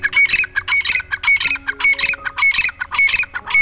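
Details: Grey Francolin (dakkni teetar), a village-bred bird of Pakistan and India, giving loud, rasping squawks in a fast, fairly even series, roughly two notes a second, over soft background music tones.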